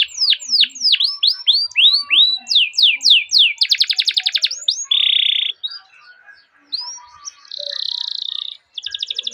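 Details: Canary singing a long rolling training song meant to draw other canaries into song: downward-swept chirps, then a fast buzzy trill, a steady held whistle, pauses, and further buzzy trilled phrases.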